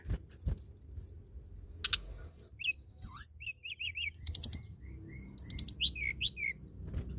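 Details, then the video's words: Singing tledekan gunung, played to stir other birds into song: sharp high clicks, then fast bursts of very high twittering with short quavering whistled notes, delivered in quick, evenly spaced phrases. "Tledekan gunung gacor!! sangat cepat merangsang bunyi burung tledekan malas bunyi"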